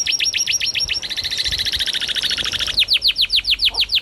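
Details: Canary singing: a rapid dry trill of short notes, then a steadier rattling roll, then a series of clear descending whistled sweeps about five a second.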